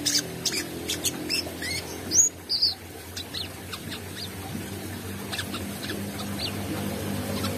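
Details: Brown-throated sunbird in lively song with open beak, giving scattered high, thin chirps and a few rising whistled notes at an uneven pace, over a constant low droning hum.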